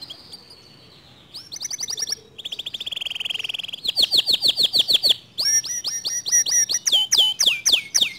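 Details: Canary song said to push other canaries to sing: after a quiet start, a buzzy trill, a sustained rattle, then rhythmic phrases of repeated high sweeping notes.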